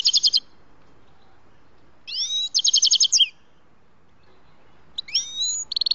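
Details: Grey-headed goldfinch singing at a trapping site: short bursts of buzzy trills and slurred rising whistles separated by long silent gaps, a final trill at the end.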